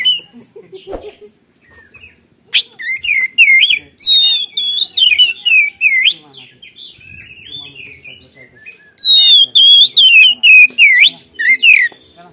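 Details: White-rumped shama, a caged bird used to prompt others to sing, giving loud bursts of rich whistled and warbled phrases with rising and falling notes, separated by short pauses, over faint background chatter.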